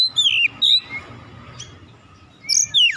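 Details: A young untrained kacer, or oriental magpie-robin, provoked into singing. Two loud, falling whistles open the phrase, followed by a quieter, breathy gap. Two more sharp, high slurred whistles close it over a low steady background hum.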